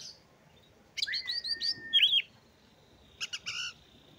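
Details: Oriental magpie-robin, a kept bird, singing a lure song meant to prompt sluggish birds to sing: a long flat whistle, quick sweeping whistled notes, then a short burst of bright trilled phrases after a pause.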